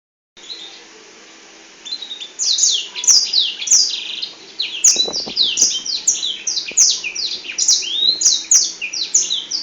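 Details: Black-throated canary singing a long continuous song with its wings spread: after a quiet opening, rapid high-pitched twittering phrases of sweeping, slurred and trilled notes run densely together without pause; faint clicks in the background.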